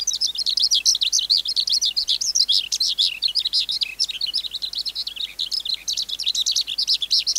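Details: Song of a wild-caught adult skylark: an unbroken stream of fast, high, jumbled chirps and quavering trills pouring out without pause, clean background.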